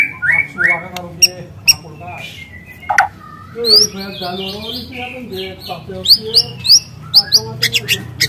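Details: A wild young spotted White-rumped Shama gives quieter, varied song. Slurred whistles and soft warbles are broken by sharp high clicks.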